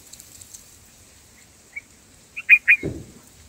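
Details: Black-headed bulbul at its nest with an immature chick, on day two of feeding, gives a few short, bright chirps close together, followed by a soft rustling thump, over a faint steady hiss.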